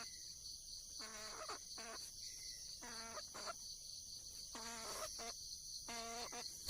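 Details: Junglefowl hen in the wild calling for a male: lower, softer clustered notes in short bursts, separated by pauses of about a second, beneath a loud continuous buzz of insects.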